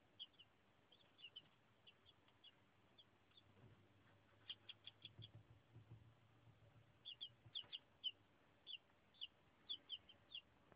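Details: Day-old to two-day-old chicks peeping in bursts of short, high, chirpy notes, often in rapid clusters of three or four, repeated about twice a second, with a faint low hum underneath.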